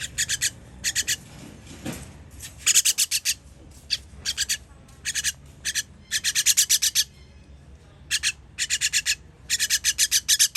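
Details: Baby birds begging while being fed, recorded 21.06.23: rapid bursts of harsh, raspy high-pitched chirps, several short notes per burst, repeating in clusters with brief pauses between them.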